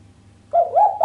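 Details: Female island collared dove giving a sharp coo without the 'kuk' that stirs the male; a rolling, wavering mid-pitched coo begins halfway through and continues to the end, cut off.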